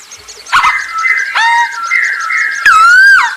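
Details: Masked laughingthrush singing as a lure to get other birds singing: drawn-out, loud whistles with abrupt harsh onsets, ending in a strong falling whistled slur, high chatter of other birds behind.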